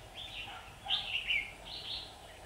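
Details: Red-whiskered bulbul at a trap during a fight, 27 September 2019; a brief run of three or four rich, warbled whistles rising and falling.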